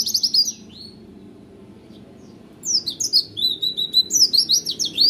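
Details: Oriental white-eye, an owned bird, sings in roll tembak style, with a brief bright phrase, a silent stretch, then a long, rapid stream of high, rising and falling chirps.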